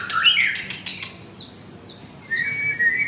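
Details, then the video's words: Caged male white-rumped shama at a Kemayoran, Jakarta bird kiosk giving a brief mixed phrase: a warbled opening, several fast high downslurred notes in sequence, then a level whistled tone after a short pause. "Murai Batu Gacor"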